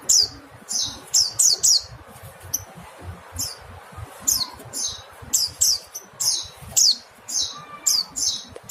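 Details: Rapid high chirps from a mountain white-eye, first bunched in a quick run, then spaced out into single and paired notes; soft background noise.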